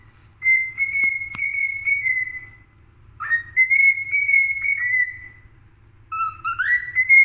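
A cockatiel gives long, level whistled notes, ending with a quick rising slur.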